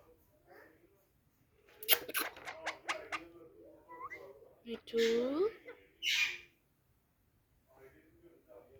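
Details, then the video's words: Angry pet parrot talking: a run of sharp clicking bursts, then a gliding voice-like sound and a short harsh high squawk, with quiet gaps between. "angry Parrot ||talking so cute ||Parrot talking with me"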